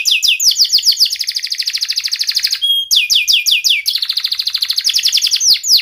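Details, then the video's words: Caged canary singing loudly, played to prompt lazy or silent canaries to sing: fast trills of sharp high descending chirps, one brief pure whistle partway through, then rapid trills resume. "KENARI GACOR Suara Tajam Cuit Cuit ngeroL TERAMPUH untuk Pancingan kenari MALAS dan BISU cepat BUNYI"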